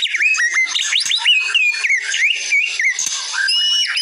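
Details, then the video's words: White-rumped shama song from a training recording: a rich, continuous flow of varied whistles, slurred rising and falling notes and high trills, densely packed with no pauses. "Masteran Murai Batu"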